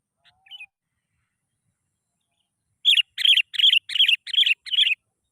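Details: Sooty-headed bulbul used as a lure to get lazy bulbuls singing. After a faint opening note and a long silence, six rapid, evenly spaced chattering notes come in quick succession.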